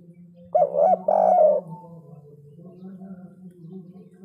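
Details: Spotted dove singing in the 'kuk 3' style with a big voice. Two strong, hollow arched coos come early, followed by a steady low hum with faint murmuring.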